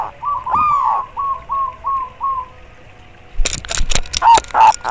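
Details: Zebra dove of a local strain, used to boost breeding drive and provoke rivals: a rapid series of six short rolling coos, then loud broadband knocking and clattering with two brief faint notes.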